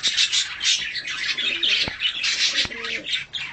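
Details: Tame budgerigar mutation being fed and cuddled; harsh squawky warbling in loud surges, with two sharp clicks partway through.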